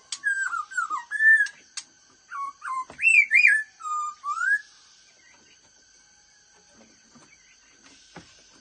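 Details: Black-throated laughingthrush in the fast-beak singing style, delivering loud, clear whistled phrases that swoop down and up, several notes in quick succession over about five seconds, then fading to near silence with faint ticks.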